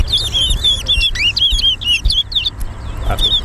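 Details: During a towa towa singing race at Harbour Bridge, a chestnut-bellied seed finch delivers a lively string of looping, whistled notes, about four per second, bright and high, trailing off before a faint low sound near the end.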